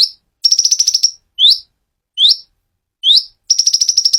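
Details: Konin singing in a clear voice: a rapid, high, buzzy trill lasting about half a second, then three separate rising upslurred notes, then the fast trill again; no other sounds.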